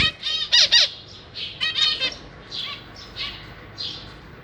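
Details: Caged zebra finches with three juveniles and three newborn chicks being fed by parents; a quick cluster of loud nasal beeps at the start, then softer hissing begging bursts spaced about every half second.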